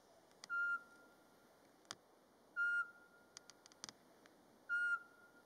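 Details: Mating-season Eurasian pygmy owl, Latvia, March, daytime, calling naturally without playback: three clear, level whistled toots spaced roughly two seconds apart, with light clicks and ticks in the background.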